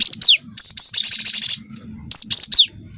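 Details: Cinereous tit, young wingko bird, singing to provoke other birds: quick high whistles with a falling slur, then an extended rapid buzzy rattle lasting over half a second, followed by more sharp whistled notes.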